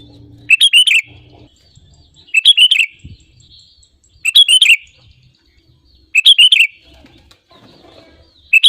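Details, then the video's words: Sooty-headed bulbul in lively full song, a recording used as a lure to trigger other birds into singing: short bubbly chattering phrases repeated about every two seconds, with quiet gaps and faint low background rumble. "SUARA ASLI BURUNG KUTILANG GACOR RAJA PIKAT UNTUK PANCINGAN AGAR BUNYI GACOR SEKETIKA"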